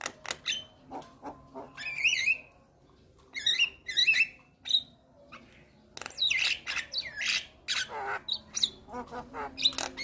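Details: Black-winged starling, white-headed, singing vigorously with head bobbing: harsh screeches and clear high whistles in separated bursts, a pause of near silence, then a dense stretch of rasping chatter and clicks.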